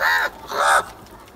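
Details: Crow close by, possibly among crows fighting over food, giving two harsh, nasal caws in quick succession, the second one longer and rougher.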